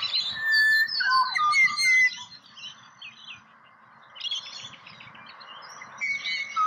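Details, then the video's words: Australian pied butcherbird delivering a sequence of sliding, mellow whistles in the first two seconds, then quieter, with more whistles and high chirps from other birds toward the end. "Serenaded by Pied Butcherbird"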